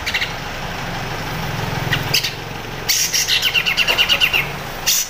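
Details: Grey-cheeked bulbul, crecet song used to train white-rumped shama and oriental magpie-robin. After scattered chips, a bright stuttering chatter runs for about a second and a half, notes falling slightly in pitch, over a low rumbling hum.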